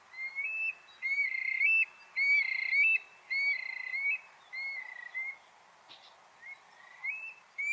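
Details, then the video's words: Eurasian stone-curlew giving its most characteristic call, typical of night and dusk activity in Portugal: loud, wailing whistled calls, each rising then falling slightly, repeated about every second against a quiet background. "Este é o chamamento mais característico do alcaravão."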